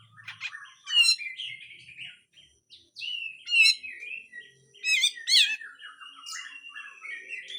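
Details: A grey-cheeked bulbul pours out a varied, harsh besetan song meant for training songbirds. Busy chattering and scratchy phrases are mixed with sharp, ringing downslurred notes.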